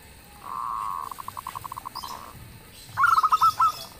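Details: Local zebra dove in full, loud song that sets other birds answering: a sustained mellow hum breaks into a string of quick even pulses, then a short burst of stuttering, bubbly cooing notes at the end.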